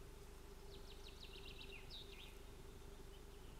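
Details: Ospreys at a nest in Finland on 25 June 2018, a pair with hatched young, squabbling: a quick run of about a dozen thin, high, down-slurred chirps over roughly two seconds, against a steady low hum and background rumble.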